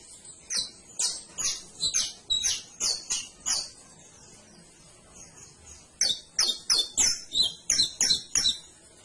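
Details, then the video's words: Canary song with two bursts of high, crisp repeated chirps, the first steady and the second faster and denser after a brief pause, about three notes a second. "CANARIO CANTO - 21 MINUTOS DEL AVE CANTANDO"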